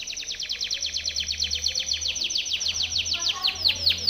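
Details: Canary training song from a Timbrado canary: a continuous rapid roll of sharp repeated notes, roughly eight per second, slowing slightly into broader sweeping notes near the end.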